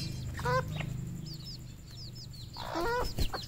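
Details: Red junglefowl on a farm in Cambodia: two rough, stacked squawking calls about two seconds apart, with thin, high, downward peeps between them and a low engine-like hum.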